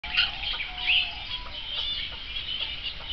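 Chukar partridge giving harsh, clucking chuck notes at an uneven pace, about one or two a second, mixed with higher squeaky chirps.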